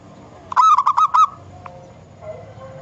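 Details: A single quick run of five bright, rolling coo notes from a wild local zebra dove, followed by a faint click and low ambient noise.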